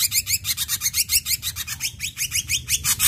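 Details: Ashy drongo song used as a lure to train captive drongos: rapid repeated series of short bright notes, many sliding upward, delivered several per second without pause, with a low steady hum beneath.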